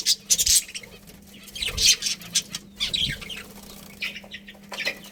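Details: Budgies in a colony give high scratchy chirps and twitters with wing flutters and rustling between them, calls tapering off toward the end.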